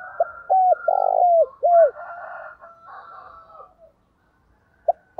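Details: Decoy spotted dove calling in the countryside to lure wild doves: a loud phrase of low, hooked, down-slurred coos, one long purring note, then quieter, softer cooing from other doves behind.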